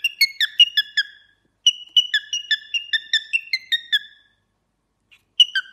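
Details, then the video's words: Cockatiel singing: quick runs of short, bright, downward-slurred whistled notes, roughly three each second, in two bursts split by a silent gap, with a brief return at the end. "cockatiel bird singing and talking"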